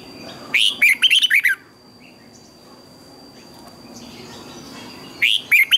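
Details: Morning song of a red-whiskered bulbul, used to train other bulbuls: a bright phrase of six swooping warbled notes, a long quiet gap, then the start of another phrase at the end.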